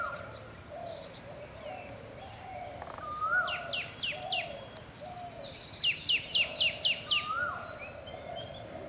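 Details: Tickell's blue flycatcher calling: two bursts of about five sharp, high notes, each sliding steeply downward in quick succession. A steady high insect buzz runs throughout, with soft low cooing phrases and brief rising whistles from other birds.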